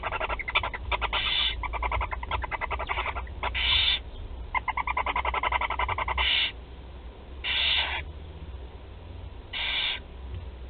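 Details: Four young barn owls at their nest in Théding, France, being fed on 16 July 2020: long bursts of rapid rattling pulses mixed with repeated coarse, wheezing hisses, several chicks calling over one another.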